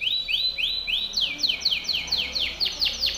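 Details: Timbrado canary delivering training song for canaries: a measured series of rising arched whistles, then quicker downward-curving notes about four per second.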